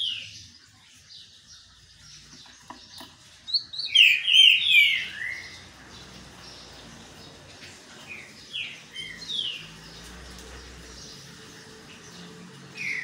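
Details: Green-winged saltator singing while sunbathing: a bright burst of loud, slurred whistled notes around four seconds in, then softer scattered whistles over a faint, hissy background.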